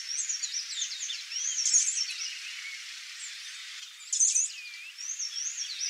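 A female swallow tanager gives thin, very high chirps and twittering notes in loose bursts, louder sharp notes breaking out twice, over faint background hiss.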